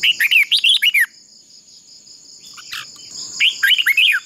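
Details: Fighting-contest song of a decoy red-whiskered bulbul for voice training: a one-second rush of bright, bouncing whistles, a quiet gap, then another similar phrase, with a steady shrill background tone.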